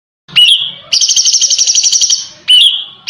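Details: Masteran training song for contest birds, billed as dense, harsh screams with sharp bursts: a loud rising whistled note, then a fast rattling trill of about a second and a half, then the rising whistle again.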